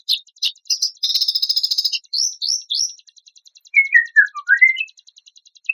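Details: White-rumped shama song with coarse, rapid-fire phrasing: sharp whistles and a dense rattling trill, three slurred whistles, then lower, sweet downward-sliding notes over a soft ticking background.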